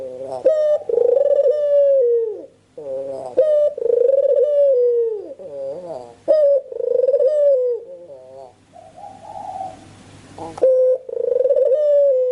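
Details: Lure recording of a spotted dove indoors: repeated rich coo phrases, each a sharp rising note followed by a long wavering tone sliding downward, about seven phrases with short gaps and a burst of hiss near the end.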